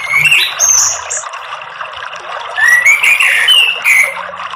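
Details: Orange-headed thrush song used as a lure to get other birds singing: varied whistled phrases and sharp buzzy notes in bursts, with pauses between, over a faint trickling background.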